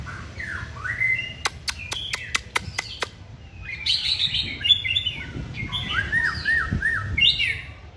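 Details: Caged white-rumped shama at a singing training session, birds hung on poles: varied whistled phrases around mid-high pitch, slurred and warbling, with a rapid series of sharp clicks in the middle and steady background hum.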